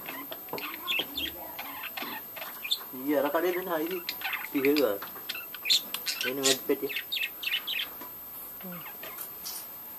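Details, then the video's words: Budgerigars in a breeding colony: busy overlapping chatter of short chirps and squeaks, with several nasal, wavering harmonic calls rising and falling in quick zigzags around the middle of the stretch. "budgies breeding colony"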